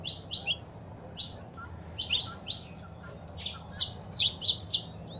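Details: Saffron finch male singing with female calling, played to stimulate a pet bird: a few sparse high chirps, then a fast, busy stream of sharp tweeted notes, faint low background hum throughout.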